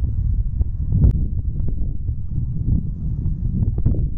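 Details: Loud buffeting wind noise on the microphone, with scattered knocks and no animal calls.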